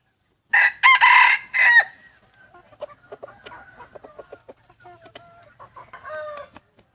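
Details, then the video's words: Wild chicken crowing in the early morning on the first day of Hmong New Year, 15 December 2020: one loud, harsh, multi-part crow lasting just over a second, then faint scattered chirps from other birds. "Qaib qus txuam qua thaum sawv ntxov hmoob peb caug xiab ib ปีใหม่ม้งวันที่1กับเสียงขัน"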